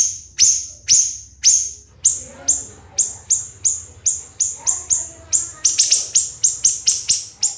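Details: Siri-siri bird masteran with loud shrill downslurred notes, spaced at first, then quickening into a tight rapid series near the end.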